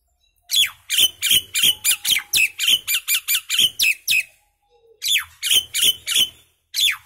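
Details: Common myna song in two bursts: a fast string of harsh, crackling notes with falling whistled accents, a short pause, then four more similar notes, over a faint low hum.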